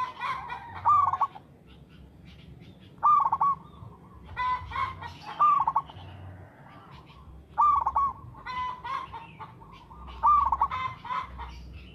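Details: Regularly singing local zebra dove, a lure recording: about five trilled cooing phrases spaced a few seconds apart, with clattering noises and some chirps between them over a low hum.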